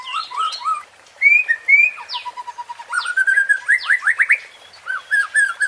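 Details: Murai batu (white-rumped shama) in a provoking 'pancingan' song: rich, varied phrases of rising whistles and sliding notes, a rapid run of upswept notes in the middle, then soft repeated whistled notes.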